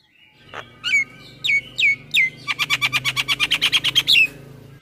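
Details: A male Javan myna (jalak kebo) sings a morning masteran, full isian: several downward-sweeping whistles, then a steady fast rattle of about a dozen repeated clicking notes ending in a rising whistle.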